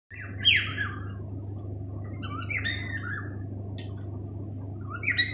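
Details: Male pet cockatiel singing indoors: a series of clear whistled phrases, some sliding downward, with short chirps between them and a pause mid-phrase, over a steady low hum in the room.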